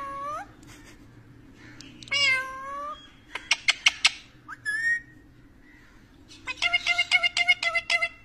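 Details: Indoor parrot talking: a falling meow-like call, then a quick burst of sharp clicks, a brief whistle, and a final rapid chattering series of about eight clipped notes, with a steady low hum behind.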